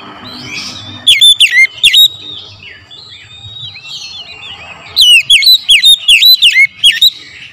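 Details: Morning lure song from an oriental magpie-robin: a short group of three piercing falling whistles, a stretch of quiet twittering, then a longer rapid series of sharp down-slurred notes.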